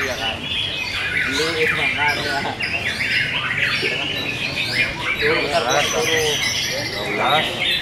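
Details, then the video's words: Several caged canaries competing in the Kenari MB canary class of a bird-song contest, session 5. Dense, rapid twittering and rolling trills fill the clip without pause, with people talking underneath throughout. "MASTERPIECE ARENA-KELAS KENARI MB SESI 5"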